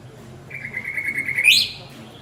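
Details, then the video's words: A male white-rumped shama calls his partner with one drawn-out, level, pure whistle that sweeps abruptly higher at its close, over quiet background. "Chích choè lửa gọi bạn - Shama bird calls his partner"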